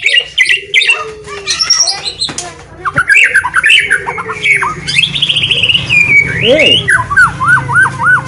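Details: Oriental magpie-robin, a caged songbird-competition winner from Kediri Regency, East Java, Indonesia, delivering a loud, varied song of harsh squawks, chirps and sliding whistles, ending in a series of repeated arching notes.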